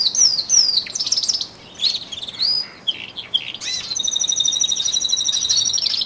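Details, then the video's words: Male canaries, twelve kept indoors, intensifying their singing in early February before spring; varied high whistled swoops and chirps with short pauses, then a steady rapid rolling trill in the final seconds. "canary song II"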